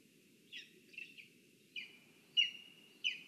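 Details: Lesser spotted eagle at its nest in a spruce in Zemgale, Latvia, on a live nest camera: a series of short yelping notes, some drawn into a level held tone, irregularly spaced, over a faint low murmur.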